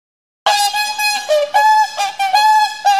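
Whooper swans trade loud, brassy, horn-like notes, about six in three seconds, some rising and some falling, as a pair-bonding exchange.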